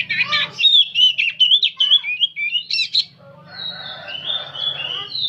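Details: Nonstop nyerecet song of an old oriental magpie-robin: quick run of sharp chirps and squawky notes about two per second, then thinner drawn-out whistles over a low steady hum.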